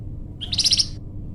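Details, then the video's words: Flamboyan bird, a lively singer, its song used for luring wild birds or training captive songbirds: one brief, high, rapid chattering trill of sharp twittering notes, over a low steady background hum. "masteran burung flamboyan"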